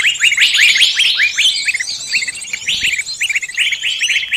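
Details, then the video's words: Bird-catching lure of many species calling together: rapid bright chirps with upward flicks, repeated in quick succession amid a layer of fainter high twittering. "Pikat burung semua jenis terampuhhh"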